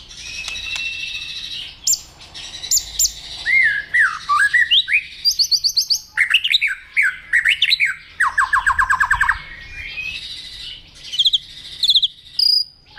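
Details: White-rumped shama stirred up to fight-sing: a varied, loud song of downslurred whistles, fast rattling trills and rapid repeated chip notes, with bursts of high squeaky phrases.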